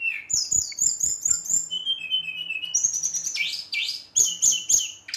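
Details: Brown-chested jungle flycatcher in full aggressive song meant to rile rival birds, with fast rolling high trills, a level lower whistled run and then bright upslurred notes.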